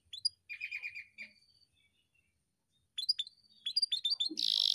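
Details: Canary, kept as a cage bird, singing in short bursts: a run of chirpy notes, a quiet gap of over a second, then rapid high chips ending in a loud, harsh buzzing roll.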